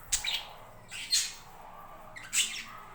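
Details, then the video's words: Budgerigars at a home breeding setup give three short bright chirping calls spaced about a second apart, with a faint hum behind. "My budgies farm"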